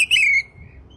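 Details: Oriental magpie-robin (kacer) song recorded as a tutoring track for songbirds, morning and evening: one loud, clear whistled note that slides slightly downward for about a third of a second, then a faint, thin trailing whistle over quiet background.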